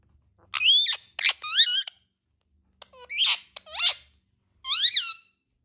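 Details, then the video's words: Indian ringneck parakeet sounds: a burst of squeaky, sliding, harmonic notes, some chattering and buzzy, followed by a pause and three more wavering screeches, in otherwise silent surroundings. "Talking and natural sounds of Indian ringneck parrots"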